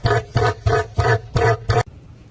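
A cassowary gives six deep, throaty grunting pulses in quick succession, about three a second, then stops abruptly.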